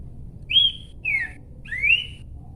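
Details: Horsfield's babbler singing three slurred whistles: the first level then dipping slightly, the second falling, the third rising, each roughly half a second long and spaced by short gaps.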